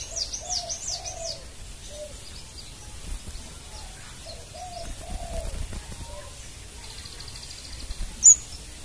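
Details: Scarlet minivet, a freshly caught bird answering a lure recording: a run of high, arched, sweet whistled notes at the start, then sparser, lower slurred whistles, ending with one sharp click.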